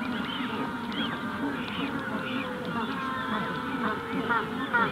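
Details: Magellanic penguins calling in a colony during hatching, with adults heard less close here: softer, overlapping nasal brays and short wavering notes mixed into a steady, busy chorus of distant birds.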